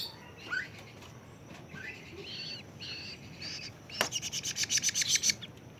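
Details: A 41-day-old young plaintive cuckoo gives scattered thin high notes, some rising sharply. Then comes a loud burst of rapid, harsh, buzzy pulses, about a dozen in quick succession, with faint background hiss.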